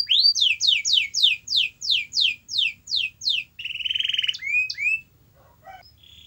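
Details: Singing canary used to encourage a reluctant canary: about a dozen loud downslurred whistles repeated roughly three per second, a short buzzy roll and a couple of upswept notes, then near silence.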